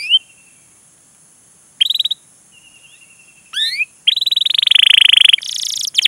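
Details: Lure song of a lively canary meant to teach young birds: scattered short whistles and rising slurs with gaps between, closing in a fast, rattling trill and bright high notes.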